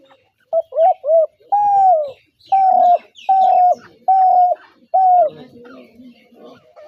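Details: Spotted dove giving coo calls: a series of low, steady, slightly arched hoots, two short notes then several longer drawn coos roughly one per second, with faint softer sounds after.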